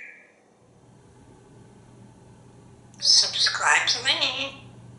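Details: Male African grey parrot, a pet in a Texas home hatched in 1997, talking while looking out a window on a pretty day: after a quiet pause, a high-pitched, speech-like phrase with wavering tones over faint room hum.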